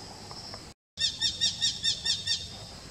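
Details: A Eurasian hobby in Kashmir gives a quick series of seven sharp, high 'kew' notes, about five per second, after a brief silent break.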